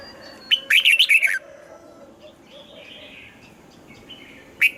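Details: Red-whiskered bulbul giving a double-note morning song in the style of an old wild bird. One rich burst of five or six warbling notes, then quiet with faint twittering, then the next phrase beginning at the end.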